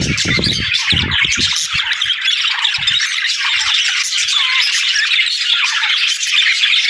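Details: Budgerigars warble and chatter in a steady, dense mix of scratchy chirps and short whistled notes, with a few dull low thumps near the start.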